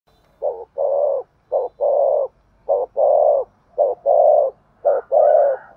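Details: Spotted dove giving the Vietnamese thúc gù style of cooing, used as a decoy to draw wild doves in. Low coos come in pairs, a short note then a longer full one, five pairs steadily repeated.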